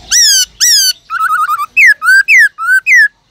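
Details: Captive black-throated laughingthrush sings a bright, varied wild-voice song used to stimulate other birds: two long whistled upslurs, a quick stutter of five short notes, then four loud swooping phrases at an even pace.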